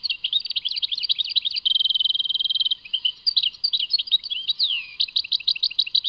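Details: Chardonneret (European goldfinch) of Tadmait in full song: jumbled twitters, then a long rapid even rattle of identical notes, followed by varied chirps and one sweeping downward slurred whistle.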